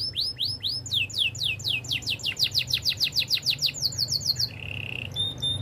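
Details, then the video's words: Training song of a Spanish Timbrado canary, a long accelerating series of sharp downslurred whistles, several per second, closing with a short steady piping tone and a high note; low steady hum behind. "Canary spanish timbrado song for training"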